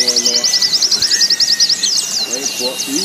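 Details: White-eye in a competition-training setting, giving a fast, high, stuttering trill of quickly repeated notes that turns into looser, more varied notes near the end, over low murmuring background sounds and other faint calls.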